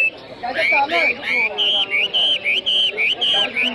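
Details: Chinese hwamei at an inter-provincial songbird competition in Lào Cai city: a clear run of repeated whistled phrases, slurred up and down, several notes per second, with men talking in the background.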